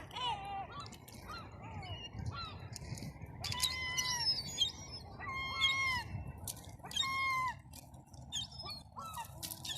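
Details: Several seagulls call along a seafront on a cold Sunday afternoon, short ringing cries that rise and fall, scattered and overlapping, over a steady low rumble of wind and surf.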